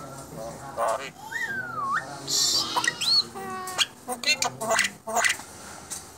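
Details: Asian pied starling, a contest champion, sings a mix of rising whistles, a harsh hissing burst, and rapid stuttering clicks and rattles.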